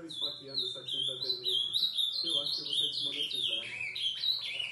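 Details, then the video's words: Ultramarine grosbeak singing after 11 pm at night: a continuous run of bright warbled phrases, each note slurring downward, tumbling on without pause, with a faint low hum underneath. "azulão dando show.."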